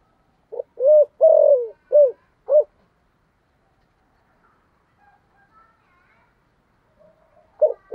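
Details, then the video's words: Spotted dove lure bird with thổ voice: one phrase of five low hollow coos including a longer falling coo, then a long near-silent stretch with faint murmurs before coos begin again. "cu gáy giọng thổ Gáy Gọi mở hàng ngày bổi và mồi rất sung và gáy xuất ngày"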